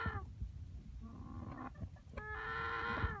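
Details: Young cockerel calling oddly after dark: a few short, lower, broken notes, then one long, strained, harmonic call that swells near the end, with background rumble.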